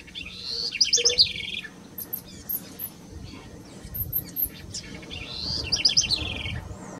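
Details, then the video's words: House wren giving two quick, bubbly, chattering song bursts of high rapid notes several seconds apart, with scattered thin, high chirps and low rustling background noise between them. "Canto de la Ratonera común"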